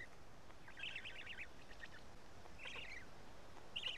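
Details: Black stork chicks at their Karula, Estonia nest on 31 May 2017 while being fed fish: two buzzy, trilled bursts about half a second long, with a brief sharper note at the end, over faint steady noise.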